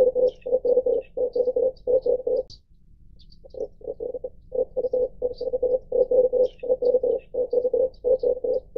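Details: Red collared dove giving low, rough, rolling coos in rapid bursts of three to five pulses, repeated almost continuously with one short pause; faint high chirps from other birds in the background.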